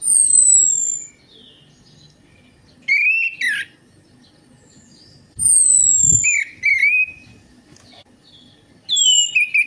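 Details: Orange-headed thrush singing in a lure recording for birds that will not sing: thin high descending whistles alternating with short rising and falling whistled notes and squeaky chips, with a few low thumps.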